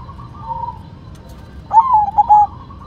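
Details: White zebra dove in full song gives one phrase: a sharp rising note, then a few short clipped coos, after a faint, drawn-out tone in the first second.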